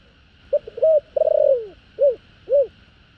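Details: Spotted dove's thổ đồng style call to two females, used to draw in wild doves: staccato start, a held coo, a tremulous downward-sliding note, then two rounded coos spaced about half a second apart, with a steady low hum.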